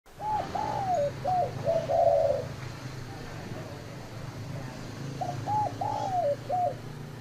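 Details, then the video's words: Spotted dove cooing: a phrase of short hooked coos followed by a longer, rougher coo, then a pause of about two seconds before the phrase repeats, over a low rural hum. "Tổng hợp tiếng chim cu gáy"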